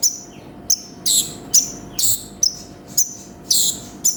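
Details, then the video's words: Energetic song of a konin, a sunbird: crisp high chips and brief rasping buzzes alternating in quick, uneven succession. "MASTERAN BURUNG KONIN GACOR FULL ISIAN"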